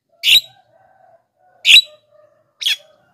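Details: Black-winged myna sounds meant to draw in wild mynas and make sluggish captive birds respond: three scratchy, broadband squawks, the last shorter with a falling edge, with a faint thin tone between them.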